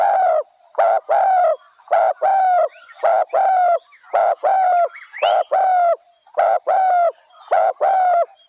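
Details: Spotted dove repeating a rhythmic coo about once per second, each phrase a short hoarse note followed by a longer, slightly falling one, very even pacing, clear and loud against a quiet background.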